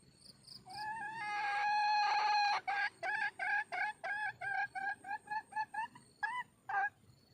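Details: A red junglefowl hen calls for a mate: a long drawn harmonic note followed by about a dozen short, clipped, cackling notes repeated roughly three times a second, strong and close over a quiet background.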